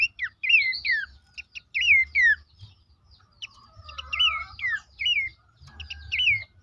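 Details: Horsfield's babbler song meant to prompt caged birds into singing: clear, downslurred whistled phrases in spaced bursts with short pauses, a faint lower warbling voice in the middle, and a soft background hum.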